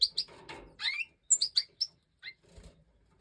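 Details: European goldfinch of the Major form, filmed in breeding season in 2024: bright high chirps in quick pairs and short clusters, one note sliding upward, with soft wing flutter and rustling in the gaps.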